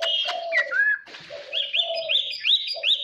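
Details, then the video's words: Chinese hwamei singing in the 'wild voice' style, used to train caged birds and stir them to competitive singing: loud, varied phrases mixing low steady whistles with rapid rising, looping high notes repeated several times in quick succession. "Hoạ mi hót giọng rừng /luyện giọng /kích chim hót đấu"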